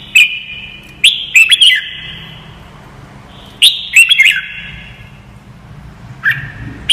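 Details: Red-whiskered bulbul song used as training audio for young birds to learn: loud, sharp whistled phrases with quick upward sweeps and clipped chirps, grouped in short bursts at about one, four and six seconds, with a faint ringing tail between them.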